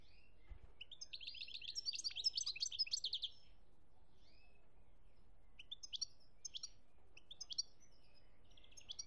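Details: Goldfinch song recorded in Algeria, 2017: one faint twittering phrase of tinkling notes, then scattered short chirps over low background noise.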